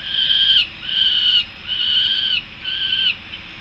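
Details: Young Peregrine falcons returning to the nest in Harrisburg, USA: four drawn-out, harsh wailing notes, each about half a second long and separated by short pauses, over a faint steady background hum.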